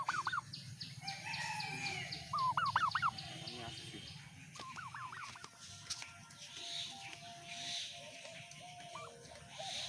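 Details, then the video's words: A turkey gives short wavering, warbling calls in quick bursts, rising and falling, over a steady low rumble and scattered clatter, apparently while attacking. "Turkey Bird Sound।। Turkey Bird Attack"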